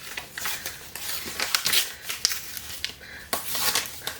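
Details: Indoors in a small room, snipping, crinkling and clattering sounds come in short bursts with no animal voice.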